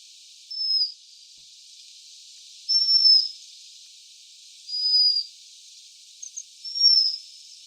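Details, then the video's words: Waxwing calling with four thin, high, level whistled notes spread across several seconds over a steady hiss. "Свиристель. Голоса птиц"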